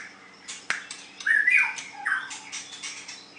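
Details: White-rumped shama singing in a contest setting. Harsh squawky bursts mix with a few rich whistled phrases near the middle, and a steady low hum runs underneath.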